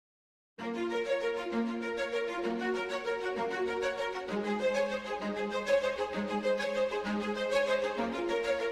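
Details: Melodic instrumental music with steady low notes and layered harmonics plays throughout after a brief silent start, with no animal sounds.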